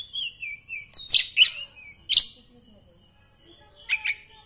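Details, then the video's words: Kacer poci (Oriental magpie-robin) singing after therapy training, now in full 'nembak' delivery: a short descending whistle, then loud buzzy explosive bursts, another sharp burst, a pause and a final rapid double chirp. "Kacer poci hasil terapi vor NANJUNG 105 jadi nembak"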